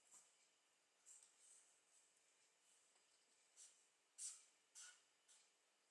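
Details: A juvenile hawfinch being fed in a garden in the Netherlands on 19 July 2013 gives faint, sharp, very high ticking calls, irregular, about one to two per second, a few louder, over quiet background hiss.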